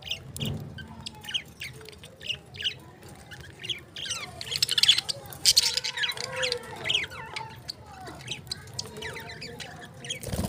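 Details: Lovebird chattering continuously with mixed high chirps, squeaks and harsh squawks, busiest in the middle, while human speech and a few knocks are heard in the background.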